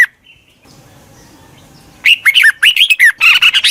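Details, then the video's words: Decoy red-whiskered bulbul used to call wild birds in: a quiet gap, then an energetic rush of loud, scratchy warbled notes rising and falling, ending in dense chattering. "Tiếng chào mào mòi chuẩn gọi chim bỗ nhanh về"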